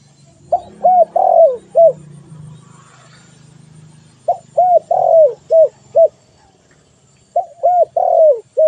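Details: Spotted dove cooing in three phrases of about five notes each, with a longer descending middle coo; a low murmur of background noise fills the gap between the first two phrases.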